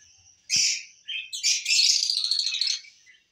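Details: Breeding lovebirds, lutino and personata types, in captivity: a sharp squeaky burst, a short pause, then a sustained rasping, finely pulsed chatter lasting over a second before fading.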